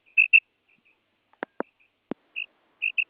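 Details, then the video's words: A female common quail (madi batair) calls with short, high, pinched notes in quick pairs, repeated a few times, with a couple of dry clicks in between. "Madi Batair Ki Awaz"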